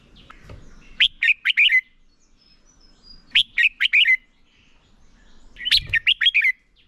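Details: Competition song of a red-whiskered bulbul decoy bird, kept to train and provoke other bulbuls into singing: three brisk phrases of five or six sharp, warbled whistles, roughly every two and a half seconds, with soft low rumbles behind.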